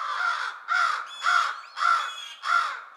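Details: American Crow giving mobbing calls, which can reveal a predator such as an owl or hawk nearby: five harsh, loud caws spaced about every half second, each broad and raspy with a strong low-middle tone, with no other clear sounds.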